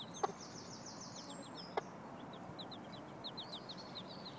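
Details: Chicks following a mother hen who teaches them to look for food, May 16, 2012: rapid series of high, descending peeps in quick runs, with two sharp clicks early and a soft background hiss.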